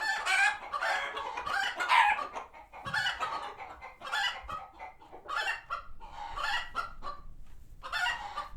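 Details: Alarmed farm chickens, a flock at a non-profit sanctuary reacting to a hawk overhead; continuous overlapping raspy clucks and cackles, irregular bursts about once a second with several birds calling at once.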